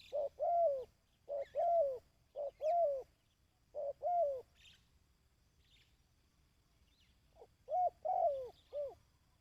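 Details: Dove calling to train decoy birds in the kích bổi style: short arched coo notes in groups of two or three, each phrase rising then falling, repeated over several seconds with a pause before a final pair of phrases.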